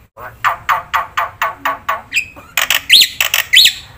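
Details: Black-winged myna in full, vigorous song packed with varied content, used as a training lure: a run of about nine harsh, rasping notes, evenly spaced, followed by louder broadband bursts and two sharp rising-falling whistles.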